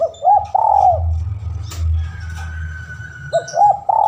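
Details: Lure recording of a spotted dove calling a rival: a rolling phrase of rounded coos at the start, a quiet gap filled by low humming, then cooing resumes near the end.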